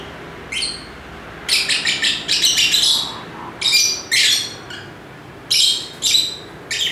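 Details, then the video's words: Lovebirds chirp loudly: a short single note, then a rapid string of grating high chirps, followed by separate harsh bursts spaced about a second apart. "Ramai Kicauan Lovebird (Lovebirds Sounds)"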